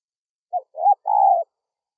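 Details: Spotted dove call for luring wild doves: one three-part cooing phrase, a short low note, a rising swelling coo, then a long steady mellow coo. No other sounds.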